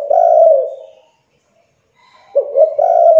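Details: A spotted dove calls to coax idle young doves into cooing. A clear, hollow coo is followed by about a second of silence, then two quick, soft, rising coos.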